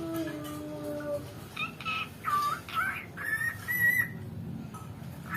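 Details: A pet cockatiel taught words by its owner's mother mimics "Happy birthday to you" in a run of short, squeaky, speech-like whistles that rise and bend. Low steady tones, likely a person, come first.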